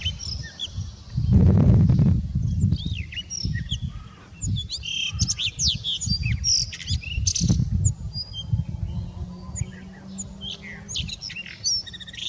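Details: A male blue rock thrush (Monticola solitarius) sings on 24 March 2019: varied, clear, fluty notes and short twittering phrases over steady low rumbling, with a loud gust-like burst early on.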